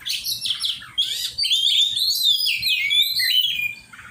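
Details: Kacer, the Oriental magpie-robin, in a training session, delivering a continuous high song of rich warbled whistles, rising and falling slurs and dense buzzy trills, fading out at the close.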